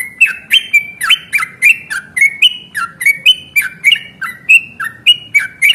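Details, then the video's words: Yellow-vented bulbul giving a long 'ropel' fighting song, used as a lure to make other birds answer; a rapid bubbly chatter of short clipped notes, about three per second, steady throughout over a faint low hum. "trucukan gacor tarung ROPEL PANJANG pancingan trucukan agar bunyi JADIKAN burung trucuk GACOR nyaut"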